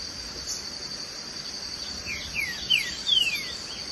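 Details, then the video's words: A green-winged saltator singing and courting gives a few quick, clear whistled notes, each sliding downward, over a steady high cricket trill. "TRINCA FERRO CANTANDO E GALANDO"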